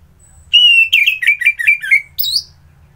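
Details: Orange-headed thrush giving a fluent whistled phrase: a sustained clear note, then a rapid string of wavering, descending whistles, and a final separate higher upslurred note.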